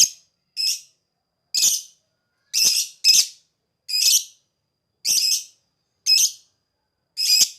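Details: Lovebird in ngekek singing, used as a lure for other birds to answer: nine grating, buzzy squawks at irregular intervals of about one second, clean with no background noise.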